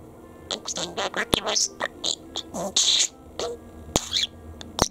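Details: Male pet budgerigar in Japan chattering in fast mimicked speech, a quick run of squeaky syllables with bright high chirps and a few sharp clicks, suddenly starting to talk as if remembering something.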